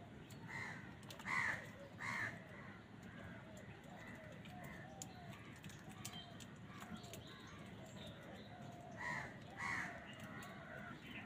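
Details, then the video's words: Crows calling as wild birds compete with them for food: bursts of raspy caws in clusters near the start and the end, separated by a quieter stretch of distant calls and steady outdoor background noise. "Crow Bird Crowing Sound | Wild birds fight with crows for food | কাকের ডাক Crow Sound"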